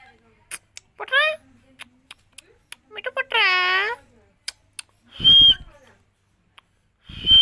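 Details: Indian green parrot said to be talking, saying "miya Mithu" in Hindi; brief harsh squawks with stacked harmonics and scattered clicks, followed by two loud noisy bursts near the end.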